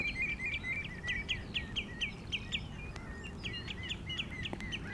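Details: Common redshanks calling in the rain: a chattering series of short, sharp, repeated notes, about two per second, over a steady hiss of rainfall.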